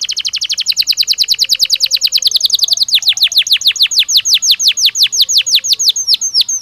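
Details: Belgian canary singing naturally, suited to daily training: a continuous rapid trill that gradually slows into distinct downward-swept whistled notes repeated several per second.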